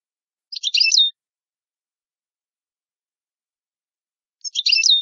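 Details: Italian goldfinch delivering two short bursts of dense, tinkling twitter about four seconds apart, with silence between them.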